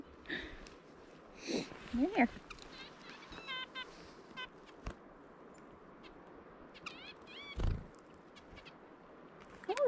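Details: Female red-breasted nuthatch, a tame bird known since 2017, very vocal in the breeding season, giving squeaky robot-like chattering notes in short, rapid bursts of rising and falling chirps, with a woman talking softly and faint background music.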